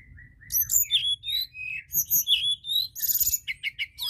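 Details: Lively White-browed shortwing song played to lure other birds: a long rambling warble of high slurred whistles and squeaky notes, ending in a fast burst of short chips, with faint low hum behind.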